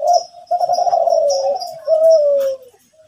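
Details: Lively morning singing of a Kelantan zebra dove: a continuous series of loud, rolling, purring coos, each sliding slowly down, with faint high chirps behind.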